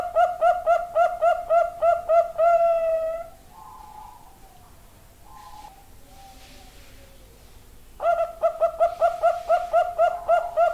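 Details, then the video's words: Bangkok-type zebra dove giving its hura hura song: a rapid string of short, staccato coos ends in a longer drawn note, then a pause with faint soft murmurs, before the fast clipped cooing series resumes. "perkutut bangkok suara hura hura"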